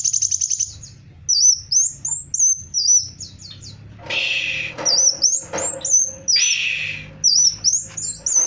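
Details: Black sunbird, known locally as Kolibri Wulung, singing actively: very high, thin twittering phrases of quick sliding notes, broken by short gaps and a few louder broadband rustling bursts.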